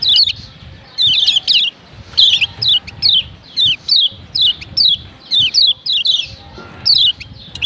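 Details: Calls of a female Lombok yellow white-eye, used to make males noisy: steady series of thin descending high chirps, single and doubled, about one per half second, low rumbling background.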